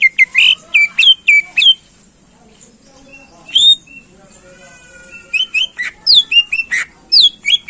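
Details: Greater green leafbird song aimed at exciting contest birds: quick series of bright whistled notes, a pause with faint soft tones, then another rapid run of sharp, sweeping whistles.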